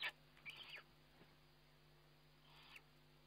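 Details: Eurasian eagle-owl filmed by a nest webcam during feeding on 29 May 2011. A sharp click opens the clip, followed by a short, harsh, rasping hiss at about half a second and another longer, fainter hiss near the end. A steady low electrical hum runs underneath.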